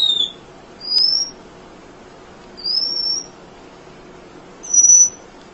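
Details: Munia in steady chirping meant for training other songbirds: four thin, level, high whistles, spaced about one and a half to two seconds apart, over quiet background.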